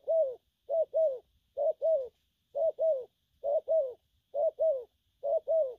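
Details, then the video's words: Bổi-type spotted dove cooing in gù phóng, gù kèm and gù lăn săn styles: steady pairs of soft, slightly falling coos, each pair about a second apart, repeated six times, on a quiet background. "Bổi nước gù phóng, kèm, gù lăn săn"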